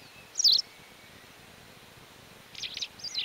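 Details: White wagtail in the mountains of León, Spain, in May 2019, giving a sharp, high chirp, then a quick run of two or three lively chizzick-like notes, with only a quiet background hiss.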